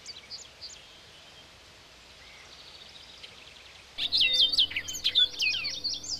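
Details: Orchard Oriole singing a fast jumble of high whistled and chattering notes, soft at first and then loud and dense for the last two seconds, with a low steady hum beneath.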